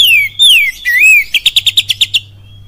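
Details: Oriental magpie-robin in kapas tembak lure song: clear falling and rolling whistles followed by a quick burst of about eight crisp repeated notes, with a faint electrical hum.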